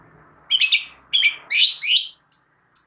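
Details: White-rumped shama (murai batu) training song meant to prompt other shamas to respond: bursts of high, sharp chattering notes, then two short thin whistles, over a faint low hum at the start.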